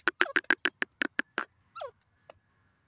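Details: Grey francolin, or teetar, uttering a rapid series of loud clipped notes, about nine in a second and a half, followed by one slurred descending note and a click.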